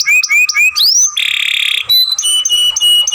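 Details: Young canary masteran phrase: a few rising whistled notes, a harsh buzzy rattle, then a steady run of high clipped whistles.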